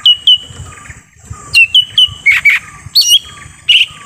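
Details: Lesser green leafbird calling in forest, a lure sound for attracting wild birds: quick whistled notes dropping in pitch, repeated in small groups, broken by harsh buzzy double bursts and a thin continuous high hiss.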